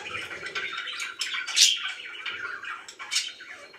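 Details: Very happy pet budgerigars chattering, soft warbled twitter with a couple of piercing high squeaks standing out.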